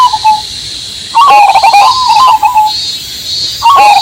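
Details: Cemani Majapahit zebra dove with a big voice, cooing over added rain and cicada backing: short mellow coos with a quick stuttering start, under a steady high hiss of insects and rain.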